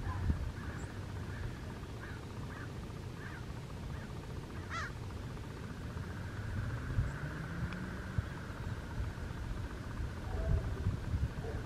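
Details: Crows gathering at a large communal roost of probably 6,000 or more birds over Arroyo Trabuco Golf Course, Mission Viejo, California, 11 November 2018; faint scattered caws from many distant birds over a steady low rumble of wind or traffic.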